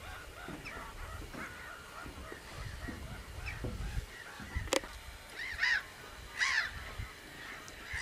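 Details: Common cranes calling in the distance as a soft chorus of arched notes, then two louder, clear bugling calls near the end; a sharp click and low rumbling background noise.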